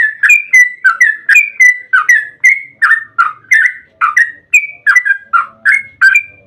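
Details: Yellow-vented bulbul song in 'ropel panjang' style, used as a lure so other bulbuls answer. Loud, clear, bubbly two-part notes repeat about three times a second, rising and falling slightly.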